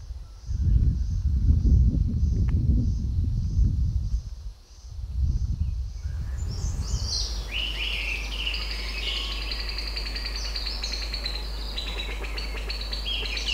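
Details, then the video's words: A grey-winged blackbird, a melodious Himalayan thrush, sings territorial calls down a valley in summer: rich, fluting phrases rising and falling over a steady low hum, after a low rumbling noise. "Gray-winged black bird is one of the most melodious songsters"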